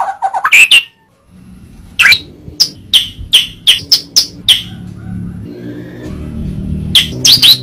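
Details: White-rumped shama tutor recording with a series of sharp, high chip-like notes repeated about twice a second over a low rumble of passing traffic.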